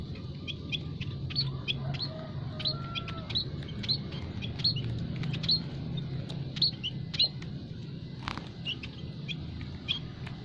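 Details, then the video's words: Munias kept together in an aviary, their calls used as a lure for catching wild birds; a long run of rapid high chirps and tweets, a faint drawn whistle early on, steady low hum behind. "burung emprit kaji,emprit peking,emprit jawa full masteran kicau pikat paling ampuh"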